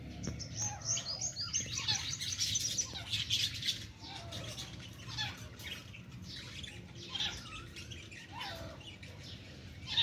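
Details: Francolin female trying to fight with chicks, with a dense flurry of high chirps and scratchy notes early on, then scattered sweeping calls and possible wing flapping.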